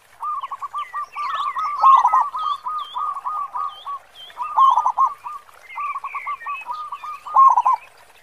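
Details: Local zebra dove with a big 'khong'-style voice, sung often as a lure: long rolling phrases of quick low coos, partly overlapping and repeated about every two seconds, with scattered high chirps from other birds behind.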